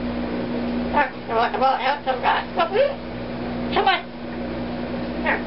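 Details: John Deere, a Double Yellow-headed Amazon parrot that talks only when the washer or dryer runs, chatters short, wavering bursts of human-like words like "hello" over a steady low machine hum.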